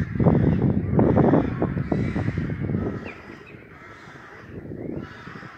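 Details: Loud crows at their nesting site in Hobro: harsh, raspy caws in rapid overlapping series, strongest over the first two seconds, then fading before a fresh burst near the end.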